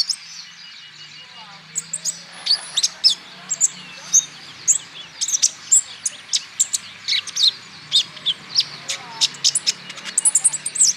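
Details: Olive-backed sunbird, a lure recording meant to prompt other sunbirds into song: rapid, busy run of high, thin ticks and sharp chirps, growing denser after the first two seconds, with a low steady hum underneath.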